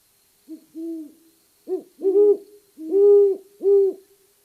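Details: Great Horned Owl pair dueting, the female's voice a little higher than the male's, from Maine: deep soft hoots in overlapping series, two voices at slightly different pitches alternating over about four seconds, indoors playback with no other sounds.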